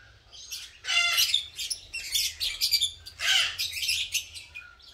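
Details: Green masked lovebirds in a breeding colony, pairing up and building nests, give harsh, raspy squawks in bursts of about half a second, with brief quieter gaps between loud screechy outbursts.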